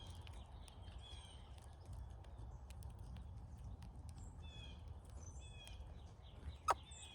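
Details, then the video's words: Migrating cowbirds crowd a backyard feeder. High, slurred whistles come in small bursts, with faint tapping sounds, a sharp knock near the end, and constant low background rumble. "Love the funny sound cowbirds make!"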